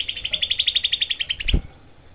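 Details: Cucak kelabu (Grey-cheeked bulbul) delivering a harsh, tight 'tembakan' burst as a tutor recording for training songbirds: about seventeen fast, rasping notes in one and a half seconds, ending with a dull knock.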